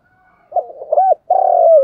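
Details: Decoy spotted dove giving a brief burst of low, hollow cooing, a few quick wavering notes, then one sustained, gently falling coo.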